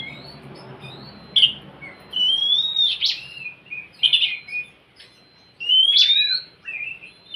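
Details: Oriental magpie-robin song meant to prompt a reluctant bird to sing: repeated bright rising whistles mixed with short chirpy notes and sharp clicks, phrases every second or two with brief silences.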